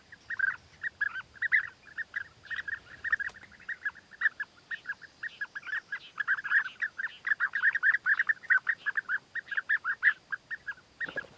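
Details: A chorus of European bee-eaters, male offering food gifts to court the female; a sustained, dense stream of trilled, burry calls for over ten seconds, rising in intensity midway.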